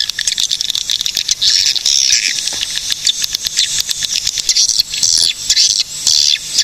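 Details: High, buzzy chatter of a swiftlet group in Cilacap, Central Java, Indonesia, with sizzling trills, sharp ticks and quick chirps in irregular bursts separated by short lulls.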